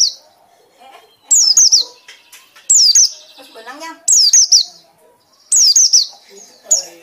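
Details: Loud white-eye ngekek: clusters of sharp, falling high chirps repeated about every one and a half seconds, with some faint lower sounds and soft background noise between bursts.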